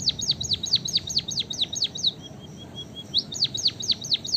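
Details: White-headed munia, known locally as emprit kaji or bondol haji, singing actively: rapid runs of high, sharply down-slurred notes, about five a second, broken by a soft, even string of thin piping notes before the slurs resume.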